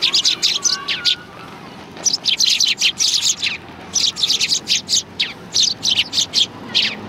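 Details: Sparrows coming for food at a Tenmangu shrine, 16 January 2020: bursts of rapid high chirping, a short lull after the first second, then steady rhythmic tweets repeated several times a second.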